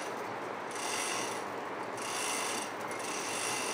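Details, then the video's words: A couple of mynas sitting on a window grill give harsh, grating, ratchety chatter in bursts of about a second, rasping and creaky rather than whistled. "A couple mynas sitting on the window grill, tweeting about, and making various calls."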